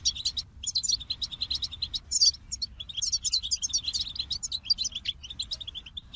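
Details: Lively goldfinch song of tumbling high twitters and tinkling trills, almost without pause, over a faint low-pitched background rumble.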